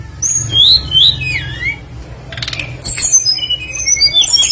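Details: A tledekan flycatcher sings energetically, a lure meant to make other birds join in: bright looping whistles sliding down, a short burst of noisy chatter, then a string of thin high whistled phrases, over a low hum.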